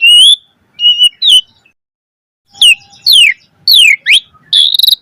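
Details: Asian pied starling singing a full-variation 'mompa' song used as a lure. Clear high whistled notes with gaps of silence, slurred upward and downward sweeps, and a closing buzzy trill. No other sounds.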